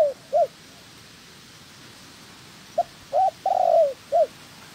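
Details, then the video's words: Spotted dove, a decoy bird in training for trapping, with a second wild-caught female present. Two short mellow coos open the clip, then a phrase of short notes and a long, slightly falling, rolling coo follows over a faint hiss. "Chim Cu Gáy (trap bird) Tập mồi. Bổi mái thứ hai của mồi tập."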